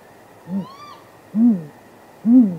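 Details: Great grey owls courting off camera near a nest at midnight on 23 April 2019, possibly mating: three deep, soft hoots spaced about a second apart, with a faint higher wavering note between the first two.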